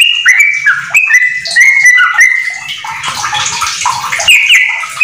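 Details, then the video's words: Yellow-vented bulbul in rapid song with white-rumped shama phrases, meant as a tutor recording: several bright whistled phrases, then the second half partly masked by a rushing, splashing noise. "trucukan gacor ISIAN MURAI TERBAIK untuk masteran"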